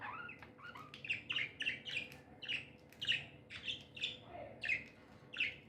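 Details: Tame, happy budgerigars chirp in a lively string of short, sharp high notes roughly twice a second, with a few lower warbled notes and a faint steady hum.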